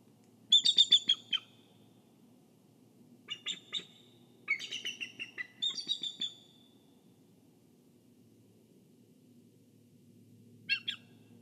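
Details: At a nest-camera site in Kisatchie National Forest, a bald eagle guarding the egg gives short bursts of high, squeaky chitters, four clustered phrases in the first seven seconds, then a lone brief burst after a long quiet hum-filled gap.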